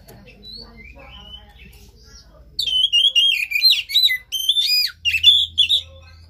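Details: Oriental magpie-robin song used to stimulate a caged bird: after faint background sounds, a rapid burst of harsh and whistled notes with sharp sweeps for about three seconds, steady low hum in the background.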